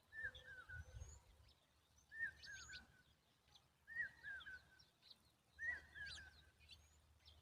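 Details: A Common babbler raises noise in defence of its babies. It gives four wavering, slightly trilled whistled phrases roughly every one and a half to two seconds, with brief higher chirps between them and low rumbling background noise.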